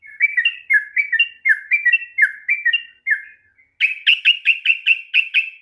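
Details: Sooty-headed bulbul, long ropel singing meant to trigger a reluctant bird: repeated two-part whistled phrases, then after a short pause a run of sharper, higher chirping notes.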